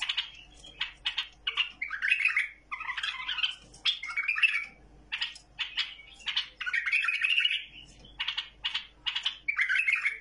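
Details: Song of a tamed bulbul, described as without any mistake: dense bursts of sharp chirps and rich, warbling phrases repeated with short gaps, lively and continuous throughout.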